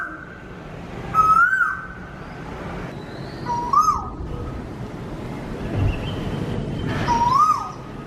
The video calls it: Koel burping